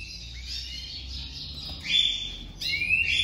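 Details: On the first day a domestic canary pair is joined for 2023 breeding, the female crouches for the male; a continuous high warbling trill gives way to clear rising whistled notes and a final sweeping phrase.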